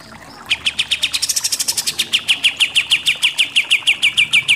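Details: Pied triller, locally kapas tembak, delivering a fast 'nembak' shooting series. After a quiet start, crisp high chips begin and come in steady succession. Some notes are briefly brighter and higher, and later ones slur downward.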